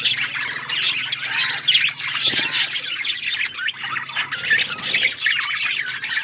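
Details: Budgerigars, several birds, kept as pets, chirping together: dense, continuous warbling chatter of buzzy and squeaky notes, with a faint low hum underneath.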